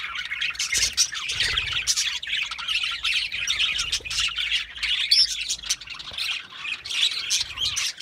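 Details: Steady budgerigar chatter: many high, scratchy chirps and warbles overlap in a busy stream, with occasional sharper squawks and a faint low rumble underneath.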